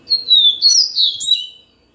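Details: Yellow-bellied seedeater delivering a sweet, fast song phrase: an opening down-slurred whistle followed by three or four bursts of bubbly warbling notes, tapering off within about 1.6 seconds in a quiet setting.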